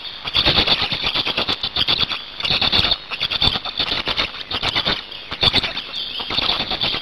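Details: Black storks at their nest in Hungary on 8 May 2019, during a change-over between the pair and feeding. High squealing, wheezy calls come in irregular bursts, mixed with fast dry clicking and rattling.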